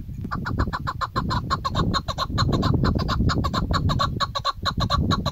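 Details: Female chukar partridge call used as a hunting lure: a fast, steady run of clucking chuck notes, about five a second, over a low rumble of background noise.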